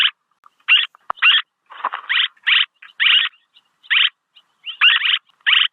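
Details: Swallow chirps from a lure recording, harsh and buzzy and given about twice a second. A few fainter scratchy notes and a sharp click fall between them.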